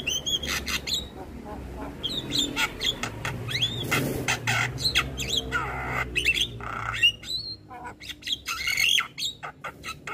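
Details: Black-winged starling song used as a training recording for young starlings: a busy mix of harsh squawks, broadband clicks and bursts, and short whistled notes rising and falling around mid-high pitch, with a low steady hum underneath.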